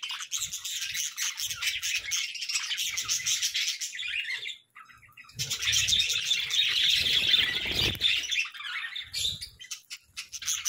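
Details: Budgies chirping in the morning, a near-constant stream of rapid scratchy, buzzy notes, pausing briefly midway before resuming louder and denser, light low bumps in the background.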